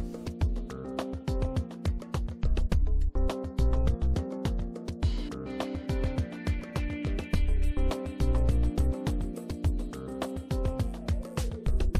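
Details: Steady instrumental music with strong bass and percussive strikes throughout, and no animal voice heard.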